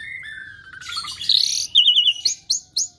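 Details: Asian pied starling mimicking other birds: a falling whistle, then a noisy burst, a rapid trilled sequence and a few short rising notes at the end.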